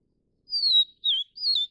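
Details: Vivid niltava of the subspecies Niltava vivida vivida, recorded while feeding chicks: three clear, high whistled notes. The first is long and gently falling, the second short and slurred, and the third wavering and dropping, all against a silent background.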